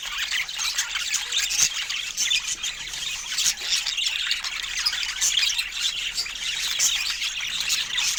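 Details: Budgerigars, kept as pets and given fruit, produce a constant high warbling babble of chirps, squeaks and rough squawks, with occasional sharper accented notes.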